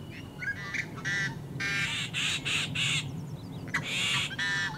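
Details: Yellow-headed blackbirds in great numbers at Great Salt Lake wetlands in summer: a series of harsh, raspy, buzzy bursts with short clicks between them, loud and repeated several times, over a low background rumble.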